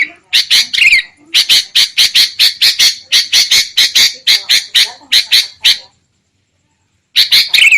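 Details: Harsh calls of the sooty-headed bulbul used to draw birds into traps: a long even series of scratchy notes about every quarter second, then over a second of silence before the rasping chatter resumes.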